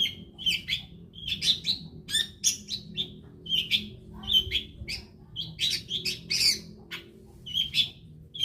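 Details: Lure recording of a long-tailed shrike singing, played to set other shrikes singing: a lively run of sharp, high whistled chirps and scratchy twitters, repeated in quick groups with brief gaps, a low background hum underneath.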